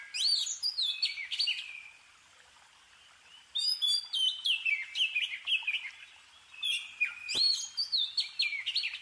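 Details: Scarlet finch filmed in the Himalayas in December 2023, early morning around sunrise. The chirp heard is stated not to be the bird's own sound: three bright, high phrases of tumbling whistles stepping downward, about three seconds apart, with a quiet background.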